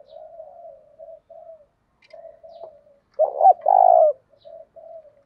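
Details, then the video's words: Spotted dove cooing, 'thúc' Đấu Bổi style. Soft, low, muttered coos run in short pieces, then a loud stuttered double note and a long throaty coo, followed by more quiet murmurs. "Tiếng cu gáy thúc Đấu Bổi, giọng cu gáy hay"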